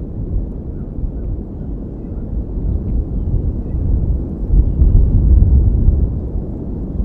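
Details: Deep, loud rumbling wind noise that swells toward the end, with no animal calls heard.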